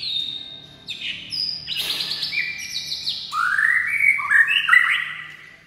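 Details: White-rumped shama in full, varied song: sustained high whistles, a sharp burst, then loud rolling rising slurs and bright fluty flourishes, fading at the close.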